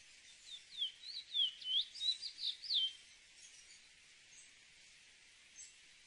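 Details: Chestnut-bellied seed finch (cacahuero) giving a short three-second phrase of bright, slurred whistles in quick succession, followed by quiet with a couple of faint high chips.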